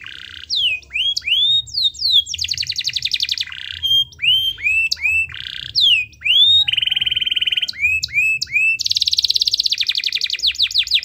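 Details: Lively canary song meant to set reluctant canaries singing: loud arched whistles repeated in series, interspersed with buzzy rattles and rapid descending trills, ending in a long fast roll of sweeping notes.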